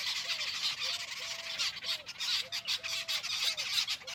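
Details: Jungle babbler's harsh, scratchy chatter pulses on and off, while a soft, low, curved note repeats roughly every half second beneath it.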